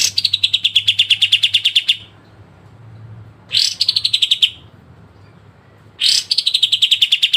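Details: Pied triller (kapas tembak) delivering sharp besetan bursts as training song for cage birds: fast, even strings of crisp notes that dip a little in pitch after a bright start, three bursts separated by short silences.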